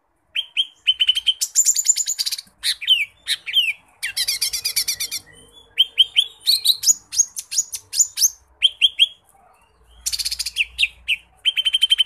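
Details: Lesser green leafbird (cucak ijo mini) in a long, chatty, mimicry-rich song for tutoring birds: dense rapid trills and harsh buzzy bursts alternate with sharp rising whistles and repeated clear notes, with only short pauses between phrases.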